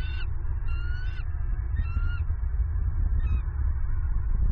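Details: A female bald eagle in southwest Florida, 27 November 2022, screams as she flies from a branch to the nest to claim an armored catfish the male brought. Thin, high, whistled notes sound over heavy low wind rumble.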